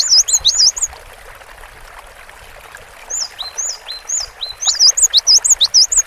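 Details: A cinereous tit gives high, thin whistled notes in quick chirpy bursts, with a pause midway and a rapid run at the end, over a steady rushing background. It is a long tutor recording used to train caged birds.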